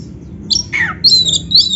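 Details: Black-breasted oriental magpie-robin tutor song played to coax caged birds into singing and tail-spreading: short high whistled notes, then a quick downward-slurred note and thin bright whistles, over faint low room hum.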